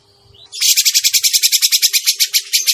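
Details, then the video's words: Grey-cheeked bulbul lure call for bird trapping: after a soft rising note comes a loud, rasping rattle of fast, even pulses lasting over two seconds, with a low steady hum beneath. "suara pikat burung cucak jenggot masteran burung cucak jenggot"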